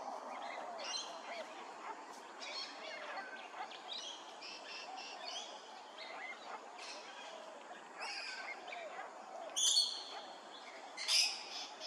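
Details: Grey-crowned babbler calling at Hervey Bay, Queensland: a string of short, high chattering notes throughout, ending with two louder, sharper calls over constant background noise.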